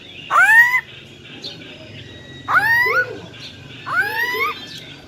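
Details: Wild-voiced female black-throated laughingthrush used to spur males: three rising, upslurred nasal calls with strong overtones, spaced about 1.5 seconds apart, with faint softer notes between.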